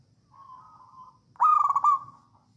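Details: Local wild Javanese zebra dove, songgo ratu song used as a masteran lure; a quiet sustained coo, then a loud rapid pulsing roll sliding into a smooth fading note.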